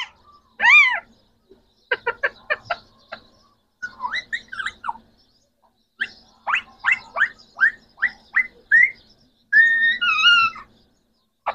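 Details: Three pet green Pakistani talking parrots producing mimicked speech: a shifting mix of clipped chattering syllables, rapid clicks and bent whistled tones, with a clear rising-falling whistle near the start and a wavering tonal phrase near the end.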